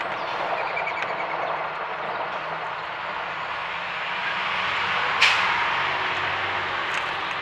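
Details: Steady broadband rumble like a passing train or vehicle, with a brief sharp click near the five-second mark and no clear animal voice.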